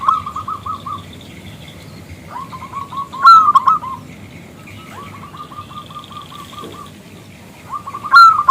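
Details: Local zebra dove, big crystal voice, calling to draw out a male; several runs of rapid, even coos separated by pauses, two loud sharp bursts standing out, a second quieter dove chattering behind.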